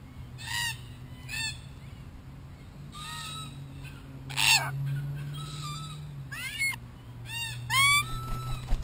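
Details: Group of wild Australian Red-tailed black cockatoos investigating and damaging a spy camera; harsh, grating, arched calls overlap, loud bursts several times a second in places, with a steady low hum beneath.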